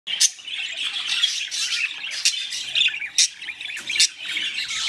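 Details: Pet budgerigars mating, a dense run of scratchy, high chattering squawks with sharp louder bursts every second or so, steady warbling underneath, indoors.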